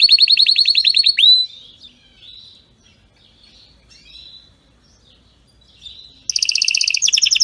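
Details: Canary song meant for training other canaries: a rapid high trill lasting about a second, then near silence with soft twitters, before a bright, buzzy rolling trill bursts in at the end.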